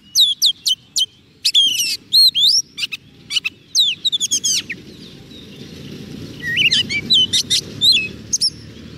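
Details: White-rumped shama singing to call wild birds: a steady series of sharp whistled notes and sweeping slurs at a quick pace, a softer stretch with a low background hum, then more rising whistles.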